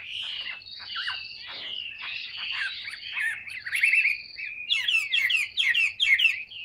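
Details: Tame, large-bodied caged Chinese hwamei singing: rich, varied whistled phrases, then a fast run of sharp, repeated descending notes near the end.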